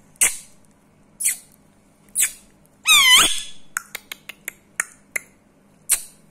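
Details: Seven-year-old rescued Indian ringneck parrot indoors in India. A few strong clicks lead into a raspy, wavering squawk, followed by a rapid series of lighter clicks and one last click.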